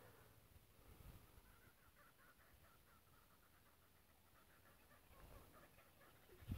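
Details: Kookaburras laugh in the distance, a fast run of rolling, cackling notes repeated over several seconds, faint beneath a steady low rumble; these calls are mostly heard at dawn and dusk.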